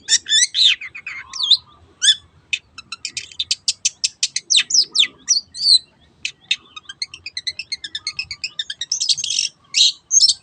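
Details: Long-tailed shrike pouring out its 'teot teot' song as a lure for other birds: harsh notes, then long quick trains of ticking pulses, ending in a buzzy, dense flurry.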